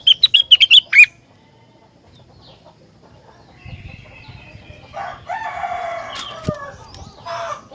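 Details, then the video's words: Rengganis, a bird said to set other rengganis singing in response: a rapid burst of about eight sharp high chirps in the first second, then quiet with faint scratchy rustling and clicks. "Burung Rengganis Lain Ikut Gacor Jika Dengar Suara Rengganis Super Gacor Ini"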